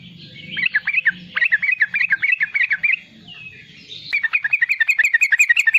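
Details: Young sooty-headed bulbul singing actively in riwikan style, used as a lure and training sound for wild-caught and young bulbuls: two bursts of rapid, repeated, bubbly chattering notes with a short pause between, over a low background hum.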